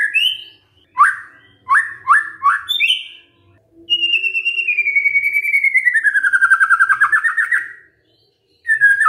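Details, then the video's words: Magpie-robin song used to coax a silent bird into answering: several separate whistled chirps, then a long, smoothly falling warble with a rapid pulsing texture, and a final short whistle. "murai BENGONG langsung NYAUT dengar pancingan ini"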